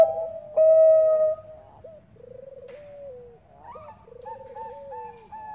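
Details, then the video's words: Bangkok-type zebra dove, a female calling a male, used as a lure to set other doves singing: loud mellow coo near the start, then softer quavering, stepped coo phrases with sliding ends. "PANCINGAN PERKUTUT BANGKOK GACOR"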